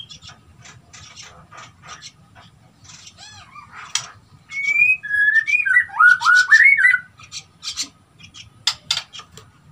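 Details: Outside its cage while hauling nesting material, a Nias hill myna gives soft scratchy notes, then a run of loud ringing whistles that rise and fall in quick succession, followed by a few harsh bursts.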